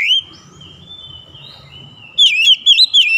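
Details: Oriental magpie-robin in morning sunlight, a brief whistle, a long soft wavering note over low rumble, then a quick run of bright looping whistled notes.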